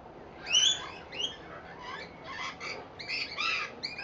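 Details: Rainbow lorikeets at seed on a verandah in Victoria, Australia: a loud, harsh screech opens, followed by raspy, chattering squawks from several birds.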